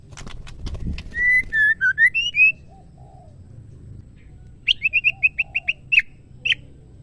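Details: Oriental magpie-robin female calling to a male: a quick series of clear whistled notes that step down and then rise, followed after a pause by a burst of short, sharp clicking notes.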